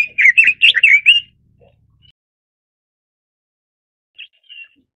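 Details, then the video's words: A Red-billed leiothrix (Leiothrix lutea) gives a quick burst of bright, warbled chirps for about a second, then two soft high notes after a pause. "紅嘴相思鳥/Red-billed Leiothrix"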